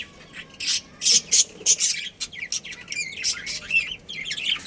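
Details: Budgie colony with a breeding pair, kept as pets, calling in short loud chirp bursts followed by a run of rapid twittering warbles.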